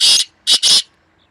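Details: Black francolin, one of two birds in a fierce calling contest, recorded 2 May 2024: a cut-off phrase of three harsh, grating, broadband notes, one lone note, then a quick double, in a quiet setting.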